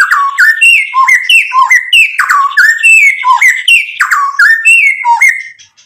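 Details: Murai batu in gacor mode for provoking rivals: a steady sequence of clear, paired whistled phrases, each dropping in pitch, repeated several times a second.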